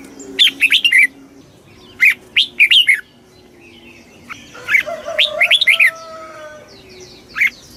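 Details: Red-whiskered bulbul giving fast kích bổi song to stir other birds, bursts of clear chirpy warbling notes in irregular groups, with a faint steady tone in the background midway through.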